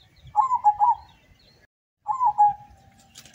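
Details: Local zebra dove competing at a contest in Semarang regency, Central Java, brought from Windusari near Magelang: a loud bubbling coo phrase followed by a second one ending in a long even note, over soft low background chatter.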